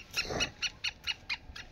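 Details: Black francolin calling in short, grating pulses repeated at a steady beat, about six clipped scratchy notes, with a brief burst of broad rustling noise near the start.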